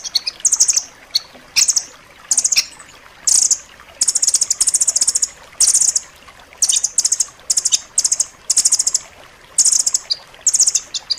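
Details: A rambatan loreng, a nuthatch, sings for training pet birds: repeated clusters of fast, high, sharp notes, each burst under a second, following one another closely for the whole stretch.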